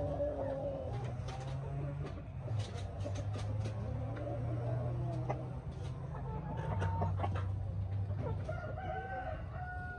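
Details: Several hens inspecting their new coops keep up a busy chorus of short clucks and drawn-out murmuring notes over a steady low hum.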